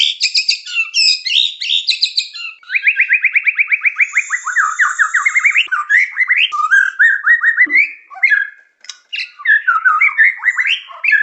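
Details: Murai batu (white-rumped shama) on a lure recording of vigorous song: quick chirps, then a long rapid series of rising notes, followed by varied whistled phrases.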